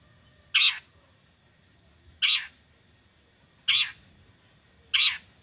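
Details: Long-tailed shrike lure sound used in the morning to make shrikes sing: four rough, scratchy rasps spaced roughly every one and a half seconds, with a soft noisy backdrop.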